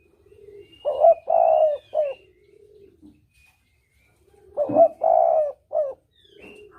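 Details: Spotted dove cooing as a lure for hunting, 'kuk dobel' pattern: two loud three-part phrases about four seconds apart, each short-long-short, linked by soft low murmured coos and faint distant whistles.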